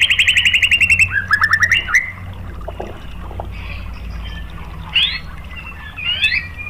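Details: White-rumped shama lure song aimed at provoking other shamas: a rapid trill, then a lower rattling phrase, followed by quieter pauses and two short rising whistled phrases.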